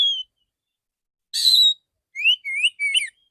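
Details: Male Oriental magpie-robin in full "tembakan" shooting-style song: a brief whistle, then a harsh buzzy burst, then three clear upslurred whistles with a sharp final flourish.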